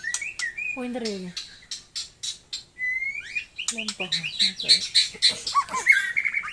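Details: Taiwan murai type of white-rumped shama singing a rich, varied phrase of clear whistles, low descending slurred notes and quick bright chips, building to a dense high warble.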